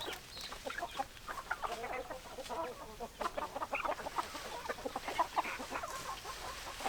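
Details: Chickens clucking in a busy flock, a continuous murmur of short clucks with a few brighter, higher calls standing out near the end.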